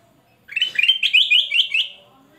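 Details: Loud song from a singing male golden-fronted leafbird, a rapid chain of slurred upward whistles and warbles lasting about a second and a half before fading, with no other sounds noticeable.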